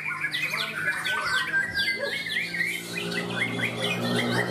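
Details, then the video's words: White-rumped shamas (Borneo shama class) at a Ramadan practice singing contest in Malinau, North Kalimantan, pour out quick, varied whistles and harsh chattering notes that overlap, over a low steady hum and faint murmur of people. "Kelas Murai Borneo latber"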